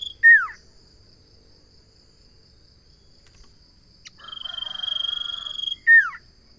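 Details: Common iora phrase: a loud falling whistle, a long gap, then a drawn-out high trill over a softer buzzy chatter, closing with another steep down-slurred whistle; a steady high hum persists.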